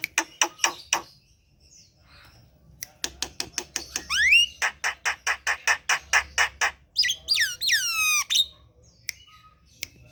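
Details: Javan pied starling, a home-kept bird being coaxed to sing, in a loud song of harsh repeated squawks, bursts of rising whistles and a long rich warbled phrase near the end.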